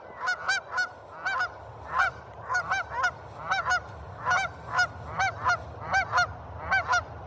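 Several geese honk in loud, nasal bursts, often doubled, roughly one or two per second, over a low steady rumble.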